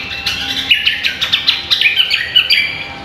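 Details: Cucak kombo (greater green leafbird) in full, vigorous song as a tutor recording: a rapid jumble of bright whistled and chattering notes running continuously with brief pauses, quiet background.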